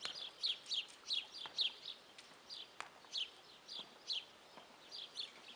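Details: Guineafowl calling with rasping, scratchy two-part notes in a regular chant, about two per second, some strokes louder and sharper, with occasional clicks behind.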